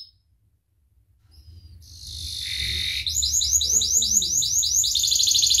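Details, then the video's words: Canary song used to train other birds: after a brief silence, a rising buzzy wash gives way to a fast, steady series of high rolling trill notes, repeated about two or three times a second, over a low background rumble. "SUARA KENARI GACOR UNTUK MASTERAN | Canary Bird Training"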